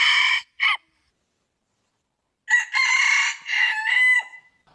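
An Aseel rooster crows: two short clipped opening notes, then a long harsh, strained crow drawn out for nearly two seconds and trailing off.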